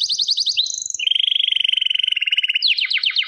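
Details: Short canary song passage: rapid high repeated notes, a longer even rolling trill at lower pitch, then quick descending whistled sweeps.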